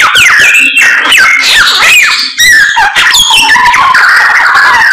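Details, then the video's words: Loud, persistent samyong bird song with bright slurred whistles, downward sweeps and rasping bursts delivered almost continuously in a small room. "BURUNG SAMYONG GACOR, ADUHAI SUARANYA MANTAP"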